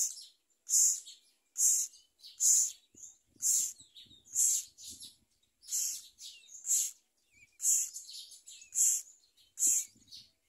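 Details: Parent myna bringing a large blue caterpillar to its chick's mouth; clipped, buzzy rasping notes repeated roughly once a second, interspersed with softer scratchy sounds and faint low rustling.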